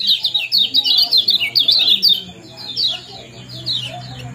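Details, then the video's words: Common Iora (kecial kuning) 'ciak jos' combination for breeding stimulation: loud rapid bursts of high chirps in the first two seconds, then softer, spaced chirp groups over a low hum. "Kombinasi ciak jos spesial pancingan kecial kuning"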